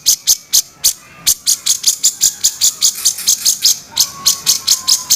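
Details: Rasping kasaran notes of a grey-cheeked bulbul, kept as master training material: rapid dry scratchy bursts, some doubled, about three to four per second, with a faint short whistle near the end.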